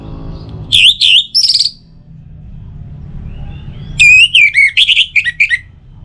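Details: Orange-headed thrush song for morning and evening, to encourage other birds to sing: a few loud, looping whistles, a pause over low hum, then a lively string of varied, slurred and falling notes.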